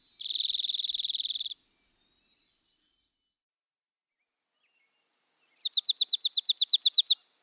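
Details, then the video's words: Dark-eyed junco producing a dense buzzy trill, then after a pause a looser rattling series of sharp downslurred chips, both high-pitched and on a silent background. "How does Black eyed Junco sound? | Bird Call | Chatter Sounds"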